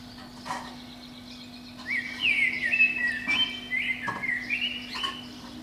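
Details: Eurasian blackbird singing early on a spring morning from the top of a pine outside a window; after a quiet start, a sustained rich warbled phrase of flute-like whistles with thin high twitters and occasional soft clicks.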